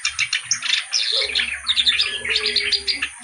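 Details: Reed warbler, locally kerak basi, in full song: a continuous, busy stream of harsh grating chatters mixed with squeaky high notes and quick trills, with barely any pause over three seconds; faint low hum behind.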